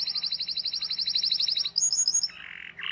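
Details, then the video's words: Canary song meant to coax young canaries into singing: a long, even, rapid trill, then a brief higher twitter and a lower buzzy note near the end. "PANCINGAN Kenari GACOR PANJANG Cuit Cuit EMOSI‼️ MASTERAN Kenari PAUD belajar BUNYI"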